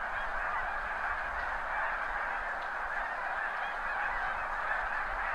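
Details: Huge flock of snow geese on spring farmland near the seaway during high tide, captured from a backyard with a Nikon D7000 and Azden mike: a thick, constant chorus of distant honks, a few calls standing out slightly.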